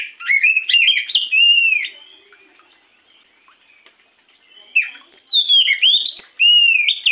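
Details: Morning lure song of an oriental magpie-robin: rich whistled notes jumping between pitches, a lull of soft faint notes for about three seconds, then a vigorous run of high upslurred and downslurred whistles.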